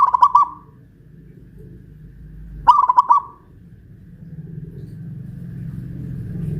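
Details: Local Pajajaran-type zebra dove from Kuningan, West Java, caged and hoisted high on a pole, gives two soft cooing phrases of rapid rolling notes, about two and a half seconds apart, over a low background hum.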